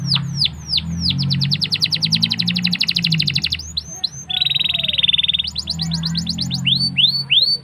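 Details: Young-canary training lure of canary song: falling whistles lead into a long rapid trill, a dense buzzy stretch, then more downslurred notes, with a low hum underneath.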